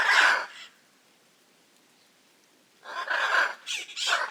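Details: Hyacinth macaws in Brazil's Pantanal: one harsh squawk, a two-second silence, then three rasping screeches in quick succession.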